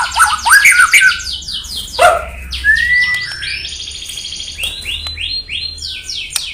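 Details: White-rumped shama (murai batu) song meant to provoke rival birds: a loud mid-pitched warbling burst, then a drawn-out whistle and a run of quick high descending notes fading in strength.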